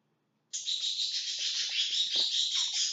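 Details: Several lovebirds inside their house, busy clearing everything out of it; after half a second of silence a dense, unbroken shrill chattering starts and runs to the end, high and buzzy with overlapping calls, with faint low rustles beneath.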